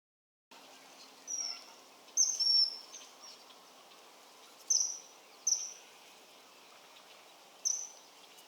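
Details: A common kingfisher recorded in the wild gives six shrill, piercing, very high whistles, singly or in quick pairs at uneven intervals, over a steady background hiss.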